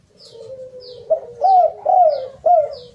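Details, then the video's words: Spotted dove (derkuku) singing, played as a lure for other doves: a drawn-out low coo builds into three strong rising-falling coos, with soft high ticks behind. "Kicau derkukuk... Pancingan agar cepat gacor"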